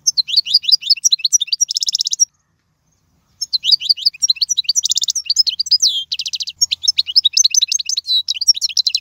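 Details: Continuous European goldfinch song, 'royal' style for teaching young birds: dense high twittering with rapid buzzy trills, broken by a pause of about a second, then resuming just as rich.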